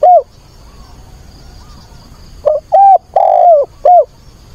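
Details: Weekend decoy spotted dove calling to find a mate, 24 August; a closing coo, then a pause and one full phrase of two short hoots, a long wavering falling coo and a final short note.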